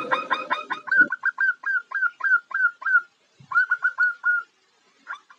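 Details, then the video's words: Female zebra dove calling for a male, giving quick clipped notes over a low rumble, then a regular string of curved whistled coos, a short pause, and a brief second run. "Genit , Suara Perkutut Betina Godain Jantan, Ampuh Pikat Jantan"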